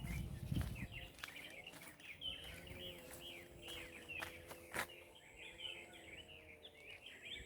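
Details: At Hac Sa, Macau, several birds twitter together in dense, high, curving chirps that run throughout, over a faint steady lower hum, with a few sharp clicks and a brief thump at the start.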